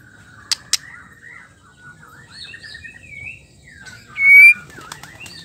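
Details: Female white-rumped shama song, used to stir caged males into singing: sweet varied whistles around mid pitch, two sharp clicks early, then a loud rising whistled note near the end.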